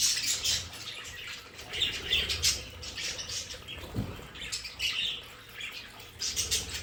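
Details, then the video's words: Household budgerigars in their play area give busy high chatter and chirps, mixed with wing flutters and a soft thump partway through. "Sonidos de periquitos Australianos"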